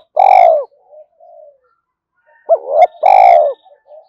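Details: Spotted dove cooing meant to excite newly caught doves into calling: a loud falling coo opens, soft murmurs follow, then a full phrase of a brief wavering note and a long, low, slightly falling coo.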